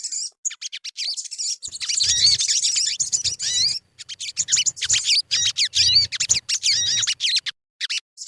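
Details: Lure song of the crimson sunbird, locally sogon: shrill, hurried twittering of high chirps and short whistled slurs in long bursts, pausing briefly midway before resuming.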